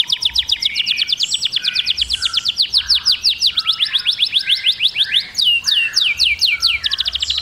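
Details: Canary song: a continuous run of quick, downward-sweeping chirps repeated several times a second, the tempo shifting between phrases, with a burst of higher sweeping whistles late in the passage.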